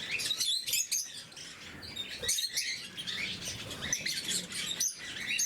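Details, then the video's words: Several lovebirds, blue mutation, chatter while being fed in the morning, giving shrill, clipped squeaks and twittering bursts that rise and fall in loudness, with brief quiet dips between clusters. "Попуги неразлучники, утреннее кормление"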